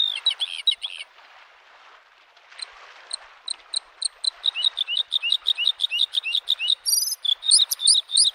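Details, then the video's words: Spring lakeside Bluethroat: a brief buzzy trill, a pause filled by lapping waves, then ringing high notes repeated ever faster into a lively run of twangy, metallic and buzzy song phrases. "the singing of the bird Varakushki"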